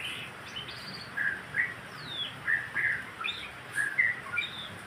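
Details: White-rumped shama song to stimulate caged birds to sing: loud whistled phrases and sweeping notes repeated roughly once a second, some rising and some falling, against low hiss.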